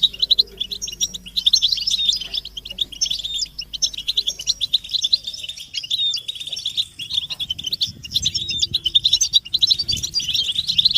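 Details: Goldfinch collective twittering of mating and readiness calls, used to rouse captive males into song; energetic high trills and tinkling chips flow continuously, growing busier toward the end over a soft low hum.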